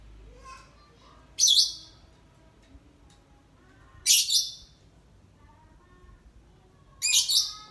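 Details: Lovebird sunning on a gloomy day, ngekek panjang style; three harsh, high, stuttering bursts spaced about three seconds apart, with faint softer chirps in between.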